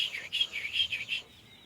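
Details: Sooty-headed bulbul in song training: a quick run of six bright chirped notes, about five per second, then a faint trailing tone.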